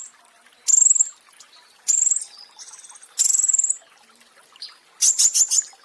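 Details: A pentis raja flowerpecker from a cage-bird training recording sings three high, fast-pulsed trills spaced about a second apart, softer twittering between, then a quick series of sharp, separated chips.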